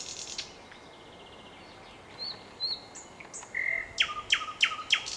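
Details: Song of a nightingale: soft scattered whistles and a held note lead into a fast, regular burst of sharp repeated notes closing the phrase.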